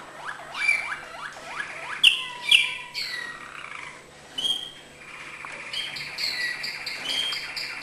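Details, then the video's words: Malinois canary singing acute notes: a rapid series of slurred notes, then bright high whistles and a sustained rolling trill. "malinois singing acute notes"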